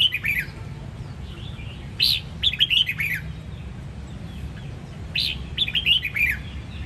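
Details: Red-whiskered bulbul of the Sông Kon line from Đông Giang, Quảng Nam, Vietnam, singing short bright warbled phrases of rising and falling whistled notes in bursts about every three seconds, over a low steady background hum.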